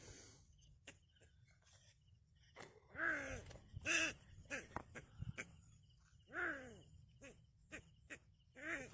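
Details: Yellow bittern chicks with their mother give harsh, nasal, wavering calls in bursts every few seconds, with soft clicks and rustling between them.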